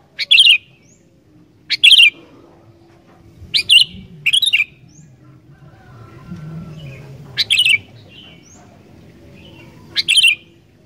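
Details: Sooty-headed bulbul singing energetically, used to prompt wild bulbuls to sing: short bubbly whistled phrases around a sharp onset, repeated every one to two seconds, with a faint low hum beneath.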